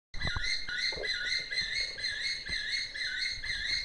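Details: A 38-year-old male crowned eagle at a sanctuary in Naivasha, Kenya, his sight restored by cataract surgery, gives the male's long, high, ringing two-tone call, a steady run of whistled notes, with a few soft knocks and clicks nearby.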